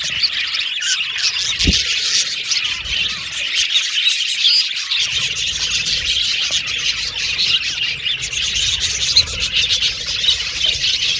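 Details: A colourful flock of pet Australian budgies chirps and squawks, keeping up dense high twittering, with a single low knock at the start and a short quieter gap.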